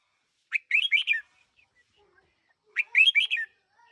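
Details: One-year-old decoy red-whiskered bulbul gives two matching phrases of rapid, liquid warbled notes about two seconds apart, with a few faint soft chirps in the gaps.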